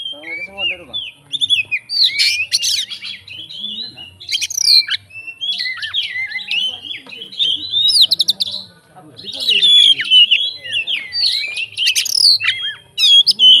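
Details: Oriental magpie-robin fighter bird, its song loaded with fill-in phrases to get other magpie-robins responding: long bouts of rich warbling, whistles and rasping bursts, with brief pauses between bouts.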